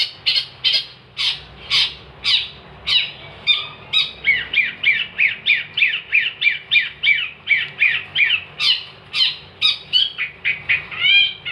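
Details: Long-tailed shrike (cendet) in vigorous song, used as a master recording for training songbirds: a fast run of harsh, buzzy notes repeated about twice a second, mixed with sharp chattering phrases and squawks, steady to the end.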